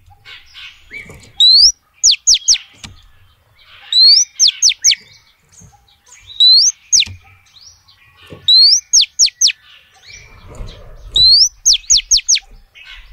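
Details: Female oriental magpie-robin calling to males: a phrase repeated about every two and a half seconds, an upslurred whistle then three or four fast, sharp down-sweeping notes. Quiet background with a faint low rumble near the end.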